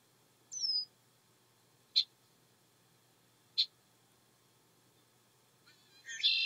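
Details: Red-winged blackbird in a swamp giving its mating call: a thin downslurred whistle, two sharp clipped high notes about a second and a half apart, then a harsh buzzy trill rising in at the end.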